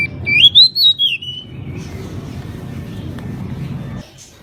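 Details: Singing pied bushchat (decu, kacer mini) in lively voice gives a short clear whistled phrase that climbs, then slides down, early on, followed by several seconds of low humming background noise.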